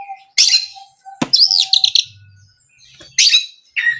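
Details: Oriental magpie-robin singing as a lure for other magpie-robins, mixing harsh scratchy bursts with looping high whistled notes, a sharp click and a faint low hum between phrases.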